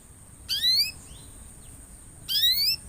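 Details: Canary sound used to encourage other canaries to sing: two bright, rising whistled notes nearly two seconds apart, each with a lower parallel strand, plus faint soft notes between.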